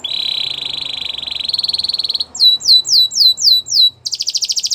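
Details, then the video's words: Gloster canary song used for training, opening with a sustained buzzy trill that brightens midway, then five or six downward-swept whistles, and ending in another fast rattling trill over faint low background hiss. "Gloster Canary Training | Canary Bird Sounds"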